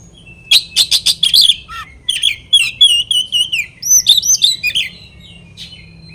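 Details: Kacer (oriental magpie-robin) song meant to make rival birds emotional and aggressive: rapid bursts of sharp notes, wavering whistled phrases and chatter, loud and continuous with brief pauses.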